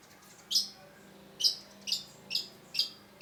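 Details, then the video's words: Long-tailed shrike, known locally as cendet, singing as tutor material: five clipped, grating high notes, the later ones coming faster, over a faint steady hum. "cendet gacor MASTERAN CENDET BAHAN AGAR TIDAK MACET SUARA || Long-tailed Shrike"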